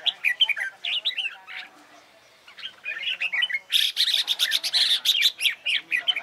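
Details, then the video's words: Red-whiskered bulbul singing in training for a singing competition; fast, varied chattering and warbled notes, a brief pause, then a dense loud run of rapid harsh notes, possibly with a second bird. "CHÀO MÀO HÓT ĐẤU HAY"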